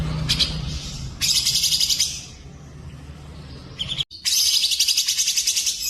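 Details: Tutoring recording mixing cucak jenggot, cililin and canary song: short, high, scratchy trills give way to a long, dense, buzzing trill of fast repeated notes after a brief silent break.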